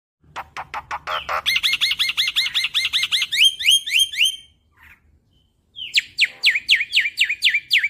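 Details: Young black-winged starling, played as a lure to get silent birds singing. A quick burst of dry clicks, then a fast run of bright, rising whistled notes at about three per second, a short pause, then more sharp whistles.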